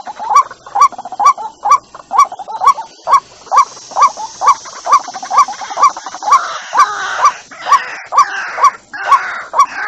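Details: White-breasted waterhen lure call: a steady run of short, hoarse notes repeated about twice a second at an even rhythm, with rougher, overlapping notes toward the end.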